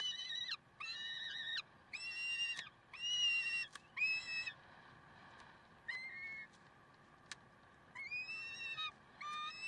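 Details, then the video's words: Peregrine falcons, Karlsruhe, 30 May 2010, 6:56. Evenly pitched, strongly harmonic whining notes, each lasting about half a second to a second, come in an irregular series roughly once a second, with quiet gaps between. "Slechtvalken Karlsruhe"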